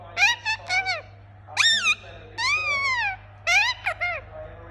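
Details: Indian ringneck parakeet, a talking pet parrot, giving loud harmonic squawks: short rising-falling notes in clusters, a long arched call near the middle, then more clipped squawks, over a steady low electrical hum.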